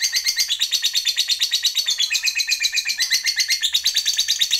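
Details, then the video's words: Lovebird in full 'ngekek panjang' long trill meant to provoke other lovebirds: a loud, unbroken, very rapid shrill chatter of pulses, roughly three per second in swells, sustained throughout with no pause. "JAGONYA MENTRIGER LOVEBIRD, Labet Apapun Yang Dengar Jadi PANAS, CEPAT NARIK Ngekek Panjang"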